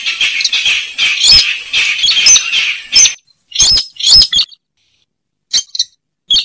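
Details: Slaty-breasted rail lure call used to draw the bird out: harsh, loud, scratchy bursts in rapid clusters, then sharp clicking notes separated by short silences.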